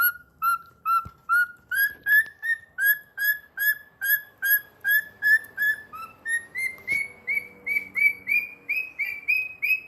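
A cockatiel whistles a steady string of clear notes, over two a second, that climb gradually in pitch.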